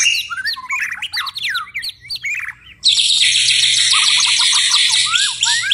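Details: White-rumped shama in steady song after dark: a string of quick looping whistles, then an abrupt switch to a loud, sustained buzzy hiss, over which fast descending whistled notes continue.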